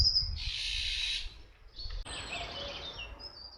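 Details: Eurasian jay of the Iberian subspecies fasciatus, at Camorritos, Cercedilla, about 60 km from Madrid, Spain: one harsh, rasping screech lasting under a second, followed by fainter high twittering from other small birds.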